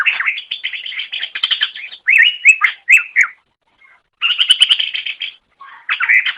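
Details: Greater green leafbird master song: dense buzzy warbling and rapid trills, clear whistled downslurs, a short pause, then another long chattering burst and lower whistles.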